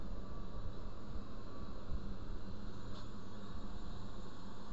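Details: Continuous low wind or hum, with one faint click midway and no animal sound.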